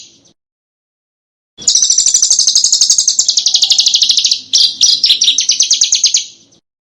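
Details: After a silence, a small bird launches into a sustained, very fast, high rattling trill lasting about four and a half seconds, with a short break; recorded as a master for training contest cage birds.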